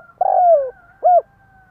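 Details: Spotted dove used as a lure for wild doves: a long coo that wavers and then slides down, followed by a short arched coo, low and hollow, with faint background hum.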